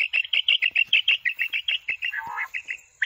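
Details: Common quail at night, giving a quick run of short, high chirping notes, about six a second, ending in a lower slurred note and a final sharp chirp; call played from an electronic caller setup used for hunting.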